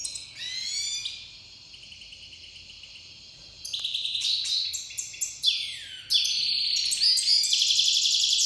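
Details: Tamed Iranian goldfinch, a Himalayan and black-headed cross, singing during the breeding season: high, bright twittering with fast trills, buzzy notes and sweeping slides, growing denser and louder toward the end.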